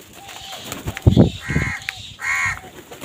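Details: During a fight over food, two drawn-out crow caws follow a burst of low thumps.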